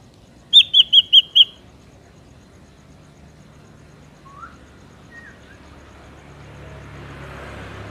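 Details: Ashy drongo, natural recording for luring drongos: a short burst of five quick whistled notes, then quieter slurred whistles and rising background hiss.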